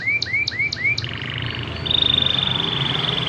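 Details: Canary singing as a lure to make other canaries sing: four rising upslurred whistles at a steady pace, then a quick buzzy trill that becomes a sustained high twittering roll.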